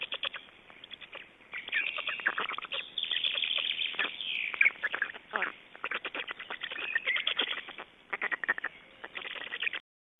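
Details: Black storks at an Estonian nest on 29 May 2012, during nest changeover and feeding: dense runs of rapid, rasping clicks and bursts, with brief higher squealing notes near the middle and a short silence at the end.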